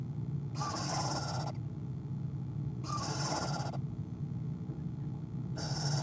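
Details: Owl at its nest, filmed on a nest camera at 1:20pm on 5-11-2015, giving a quiet sound: three breathy, hiss-like bursts about one second long, spaced roughly two seconds apart, over a steady low hum.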